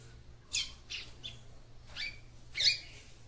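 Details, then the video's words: Female capped seedeater song meant to stimulate the male, a handful of brief, bright chirps spaced roughly half a second apart over a soft steady hum. "CANTO DE FÊMEA PAPA CAPIM PARA ESQUENTAR SEU MACHO"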